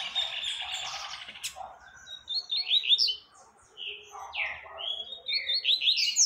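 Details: Double-collared seedeater song for teaching young birds: after a buzzy opening, separate sweet slurred whistles and short trills come in bursts with brief pauses, ending on higher notes.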